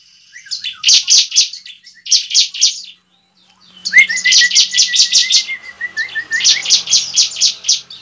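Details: Bar-winged prinia song used as a lure to provoke fighting and singing gives bursts of sharp, high, chirping notes, about four or five a second, with a thin sustained whistle beneath part of it.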